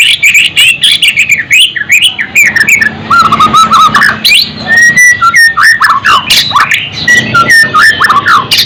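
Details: White-rumped shama song meant as filler material to excite other birds: dense, rapid mix of whistles, chips and slurred notes, continuous and varied, with some low background noise.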